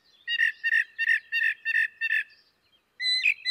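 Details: Northern Mockingbird singing imitations of other birds' songs, repeating one harsh, buzzy chirping phrase about six times in quick succession, then switching to a brighter whistled phrase.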